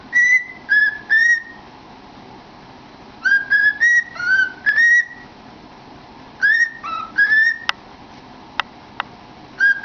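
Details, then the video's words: Pet cockatiel whistling with its head in a cardboard tube, entertaining itself; clear tonal whistles around two kilohertz come in short groups of rising and level notes, with a few sharp clicks between phrases. "Funny Bird Singing in a Tube"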